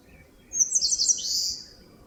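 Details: Eastern crowned warbler singing in a forest at the foot of Palbongsan in Seosan. A quick burst of thin, very high twittering notes runs into a longer buzzy note that drops in pitch before fading, with faint background.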